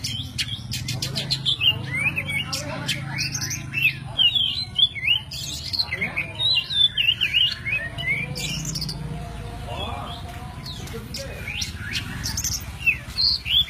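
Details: White-breasted oriental magpie-robin, locally Kacer Poci, on a songbird training master with forest-sound filler. A dense, varied run of whistled slurs, trills and clipped chirps repeats quickly and irregularly above a constant low droning hum.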